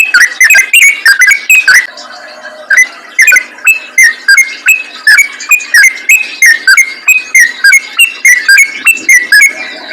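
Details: Yellow-vented bulbul song used as a lure for other bulbuls: loud, rapid bubbly whistled notes around mid pitch, repeated in quick bursts several times a second with short gaps, continuous throughout.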